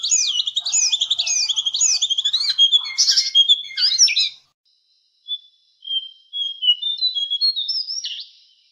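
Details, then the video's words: Javan cochoa song used as a songbird tutor. About four seconds of quick looping whistled trills give way to silence, then scattered thin, high, drawn-out whistles. "Masteran suara burung jongkangan"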